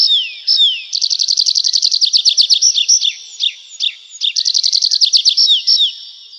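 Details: Singing Nightingale: after a single falling whistle comes a long, fast rattle of clipped high notes, a few scattered varied notes, then another rapid rattling run ending on a downward slur.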